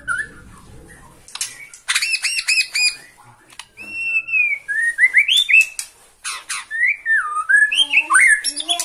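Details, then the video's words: Agitated white-rumped shama of the Borneo type sings toward a rival: ringing stacked notes repeated four times, then varied clear whistles that glide, loop and rise and fall in pitch. "MURAI BORNEO MAIN EMOSI SATU TITIK LIHAT LAWAN"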